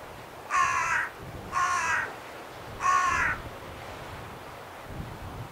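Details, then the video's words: At Scheveningen, Netherlands, on 31 January 2021, a carrion crow utters three coarse, nasal caws at slightly irregular spacing, followed by a quiet stretch. "Zwarte kraai Corvus corone, roepend"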